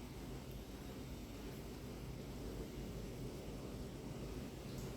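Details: Rumbling wind and broadband hiss throughout; no animal call.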